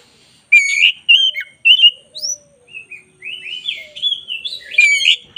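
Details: Black-breasted oriental magpie-robin singing vigorously on a tutor recording. Loud, varied whistled phrases that slide and twist, with short breaks between bursts, a brief quiet lower note midway and a dense burst of phrases near the end.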